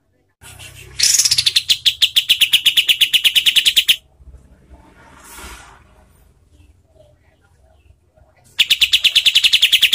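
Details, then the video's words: Master recording of a kapas tembak bulbul for schooling competition birds, the voice harsh and the tempo fast and tight. A three-second string of rapid, sharp repeated notes, a quiet stretch with faint hiss, then another fast run begins. "SUARA KAPAS TEMBAK untuk MASTERAN BURUNG LOMBA ¦ SUARA KASAR ¦ SPEED RAPAT"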